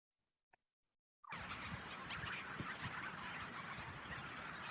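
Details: A dense night chorus of Leach's Storm-Petrels at research plots on Baccalieu Island, Newfoundland: many overlapping purring, chattering calls at a rapid pace, starting abruptly after a second of near silence.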